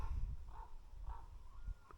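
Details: A raven in Masuria on 8 March, beside a still-frozen lake with the temperature around 13 °C, gives three or four hoarse, mid-pitched croaks about half a second apart over a steady low wind rumble.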